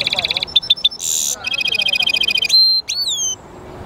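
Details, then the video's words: Caged European goldfinch mule singing: rapid stuttering trills of bright high chips, a short buzzy burst, then a long fast rattle, a clear sustained whistle and sweeping slurred notes, crisp and loud against a quiet background. "European Goldfinch mule singing | Jilguero Mixto"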